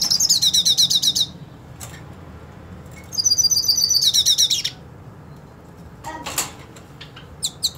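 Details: Hooded siskin, purebred, wanting to fight a rival hooded siskin; two loud bursts of rapid high buzzy trilling, each over a second long, followed by scattered sharp chips.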